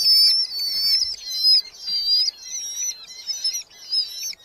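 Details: Red-footed falcon chicks, nestlings in a nest box in a big colony in Hungary, July 2025: piercing, quavering screams in bursts about every half second, several birds overlapping, little background noise.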